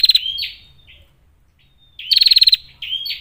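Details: Calls of a female Bar-winged prinia used as a training lure: a slurred whistled note fades out, a pause follows, then a fast pulsed ticking trill with rising whistled slurs.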